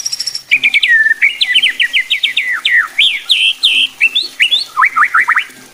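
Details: White-rumped shama song used to make other shamas sing more aggressively: a brisk sequence of sharp up-and-down whistled strokes, varied phrases, ending with quick descending notes.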